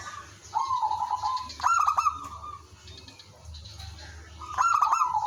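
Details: Village zebra dove in full song, played as a decoy to make other doves answer. A quieter rolling coo, then a loud clicking trilled phrase, a pause, and another strong trilled coo at the end.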